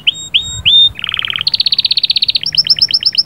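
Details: Canary singing to ready a hen: three clear rising-falling whistles, a low buzzy rattle, then a long fast trill of pulsed notes, ending in quick slurred double notes.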